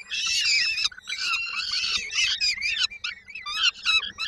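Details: Peregrine falcon chicks in Koszalin, Poland, 19 May 2022, begging while waiting for their mother to bring supper: overlapping shrill, wheezy, harmonic cries, nearly continuous with brief gaps.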